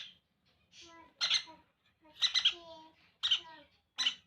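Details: Conure chicks during hand feeding give harsh, raspy squawking begging calls in short bursts about once a second, rising into louder grating cries, indoors in a quiet room.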